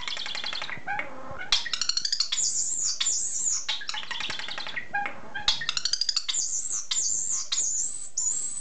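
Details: Pet common starling singing and mimicking indoors: dense stretches of rapid rattles and clicks alternating with high, squealing, wavering whistles and buzzy phrases, in repeated bursts.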